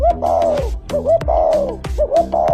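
A spotted dove gives soft, hollow coos in three quick phrases, each one gently rising and then falling, over quiet background music.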